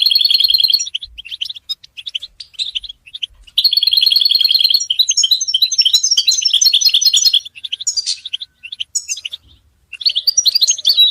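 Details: European goldfinches kept in cages give collective chatter, mating and readiness calls used to break a male's silence. Rattling high trills open the passage and return near four seconds, followed by tinkling twitters and brief pauses.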